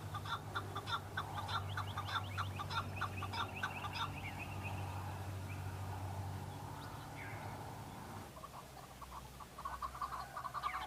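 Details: Male chukar partridge answering rival males during the fighting season, displaying for females; a quick series of clucking notes for about four seconds, then a lull under a loud low hum, with a brief note burst near the end.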